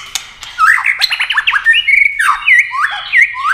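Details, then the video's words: White-rumped shama duelling in fast competition singing while flashing wings and playing its tail: a short burst of rapid chattering notes followed by clear looping whistles, one after another, with a sharp click at the start. "chòe lửa hót đấu tốc độ.nhá cánh chơi đuôi liên tục"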